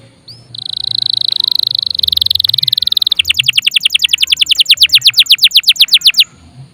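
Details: Lively canary song, meant to prompt other birds to sing and serve as their master: one upslurred note, a long dense buzzy roll, then a brisk series of sharp descending strokes repeated many times.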